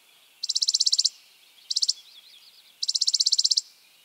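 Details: Spizella sparrow, an American sparrow: three dry, rapid trills of evenly spaced high pulses. Two longer bursts frame a short one, with faint soft chips between them.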